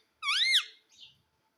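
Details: A pet parrot, possibly a ringneck, says its name with a squeaky, nasal two-syllable word, a bright rising-falling note then a softer, shorter one, like "mit-thu", in a quiet room.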